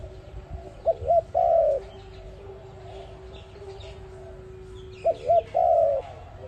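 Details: Cooing of the ARIMIX dove, played for trapping: two phrases about four seconds apart, each two short notes and a long descending coo, over a steady faint hum.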